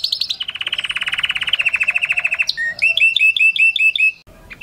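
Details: Canary song meant to stimulate mating: a short high trill falls into a long, fast lower trill, then a series of repeated chirped notes, ending abruptly.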